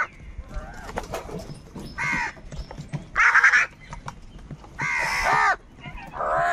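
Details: Crows fighting for food utter drawn-out, raucous caws, each about half a second, coarse and broad, spaced irregularly with quieter rustling in between.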